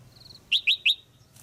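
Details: Caged female red-whiskered bulbul calling to attract a male for pairing: three loud, quick upslurred chirps in under half a second, preceded by a faint thin trill.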